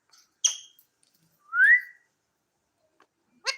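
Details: Pet talking parrot making a short harsh burst, then a clear upward-sliding whistle, and ending with another rough noisy call.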